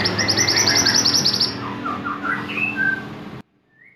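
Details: Silver-eye song for tutoring songbirds: a rapid, high buzzy trill gives way to a cluster of lower, wavering chirps and twitters, then the sound cuts off abruptly, leaving near silence.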